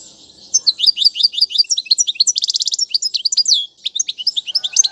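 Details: European goldfinch song recorded for teaching young birds, a fast run of bright twittering notes and liquid trills, with a dense buzzy rattle near the middle, then a short pause before more quick tinkling phrases.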